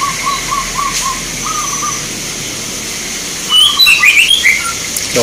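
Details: Local zebra doves singing at a bird song contest in Grabag, Magelang, Indonesia: a run of short, rolling, trilled coos repeated steadily for two seconds, then higher chirps and whistles from other birds over constant crowd and background hiss.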